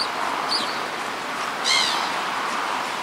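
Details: Black-headed gull demanding something no one heeds: two harsh, nasal cries, a thin short one then a louder drawn-out squawk, over a steady hiss of wind or surf.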